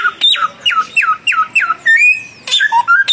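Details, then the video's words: Young and mature samyong birds in a song duel: five quick, ringing downslurred whistles in a row, then a short rising note, a pause and a fresh burst of varied whistled phrases. "samyong muda vs samyong mapan duel gacor"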